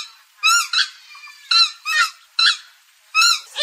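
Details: Purple swamphen honking: short, nasal, overtone-laden notes, several in close pairs, spaced by brief quiet gaps, recorded close and clean.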